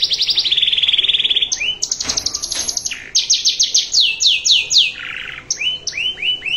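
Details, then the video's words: Canary master song with a fancy varied style, used for teaching other canaries: rapid trilled phrases at high pitch, a fast buzzy rattle, then sweeping down-slurred notes repeated in short series, loud and clear throughout. "Masteran Kenari Cengkok Mewah Semakin Enak Lagunya"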